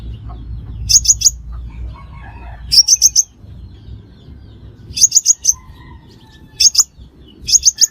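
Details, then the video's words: Lure call of a Crimson sunbird for bird trapping: clipped, high-pitched triple and quadruple chips in separate bursts about two seconds apart, against a quiet background. "Tiếng Hút Mật Xác Pháo Mồi Chuẩn Không Tạp Âm"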